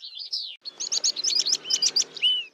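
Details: Horsfield's bush lark (Mirafra javanica) song: a quick, varied run of high chirps and short trills, ending in a thin slurred whistle, with no other sounds.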